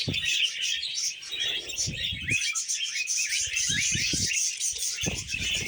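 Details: Happy budgies singing as they eat vegetables, giving a steady, busy high twittering warble full of short rising chirps, with occasional low knocks and bumps from eating.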